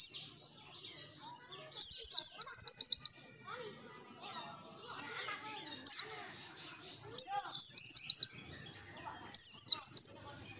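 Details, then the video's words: Pleci (white-eye) song used as a lure: bursts of rapid, high, sharp twittering notes about a second long, repeated at intervals of a few seconds, with quiet soft chirps between. "Pancingan PLECI GACOR Ngalas N3mbak"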